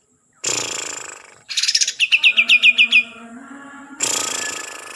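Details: Kalimantan green leafbird, locally cucak ijo, sings a quick series of about eight sharp descending chirps. Loud rasping, noisy bursts come before and after the series.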